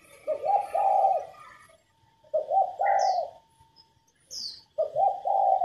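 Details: Cooing of a female spotted dove, used to push captive males into cooing and to train their voices. Three separated bursts of low mellow coos, each two or three notes run together. A thin high chirp sounds between phrases.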